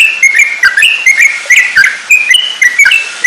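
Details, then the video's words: Yellow-vented bulbul song used to train other songbirds (masteran): slurred whistles, some steady and some bending downward, delivered in a lively chattering run with crisp ticks. "burung trucukan cocok buat masteran"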